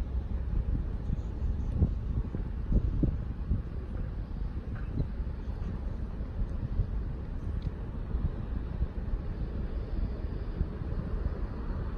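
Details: Steady wind rumble and low vehicle-like noise with a few faint knocks, and no animal voices.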